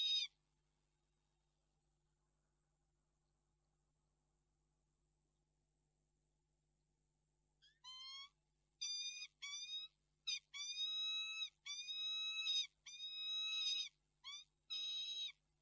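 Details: A peregrine falcon, recorded 11 March 2022, gives drawn-out, harsh wailing notes in a repeated series after a long quiet pause, each note flat and nasal with rich overtones.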